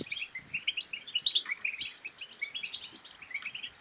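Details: Goldfinch song used to prompt other goldfinches to sing: bright, rapid twittering with buzzy and liquid high notes in a steady stream over a quiet background.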